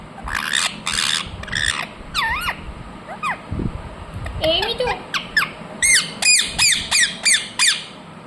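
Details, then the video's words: Talking ringneck parrot moving from rough bursts and wavy, voice-like sounds into a steady series of shrill, down-slurred squawks about every half second. "Ringneck parrot Naturals Sound"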